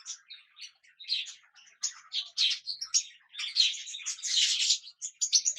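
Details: A yellow and white pet cockatiel preening in sunlight chatters in short, harsh chirps and scratchy bursts, some rapid and run together.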